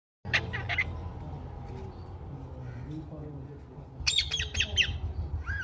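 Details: Pet green parrot indoors: a quick burst of sharp, high chirps at the start, a long stretch of low background hum, then another rapid run of bright chirps and squeaks near the end.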